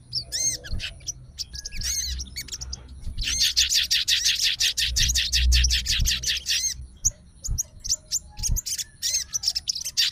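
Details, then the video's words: Fighter sooty-headed bulbul responding right away to another bulbul's voice and calling a rival. Scattered whistled notes open, then a long, dense burst of fast chattering phrases, ending in sparser clear whistles. "SOGON FIGHTER LANGSUNG RESPON DENGAR SUARA SOGON GACOR"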